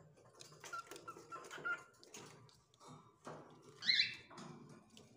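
A cockatiel sings short, clear whistled notes, with one louder rising whistle near the end.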